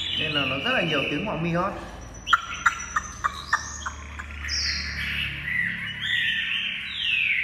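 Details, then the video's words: Hand-tame pet Chinese hwamei singing: a man talks at first, then a short series of crisp repeated notes, followed by long high whistled phrases that slide and waver. "Chim thuần 100%, thả như gà, điện đóm ổn định hót tốt | Họat Họa Mi"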